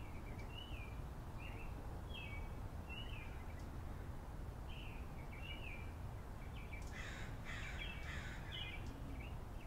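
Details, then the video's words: Birds in a backyard give short whistled, slurred notes repeated about once a second, with a denser burst of overlapping chirps near the end, all over a steady low rumble of background noise. "The sound of birds in my backyard"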